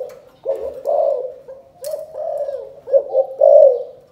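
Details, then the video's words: Low, throaty chụp chụp ô calling coo of a spotted dove from Cần Thơ, Vietnam. Sustained humming coos are followed by a burst of quick stuttered notes and a final louder drawn-out coo. "Chụp chụp ô gáy gọi Thái Vân hoa : Cu gáy Cần Thơ"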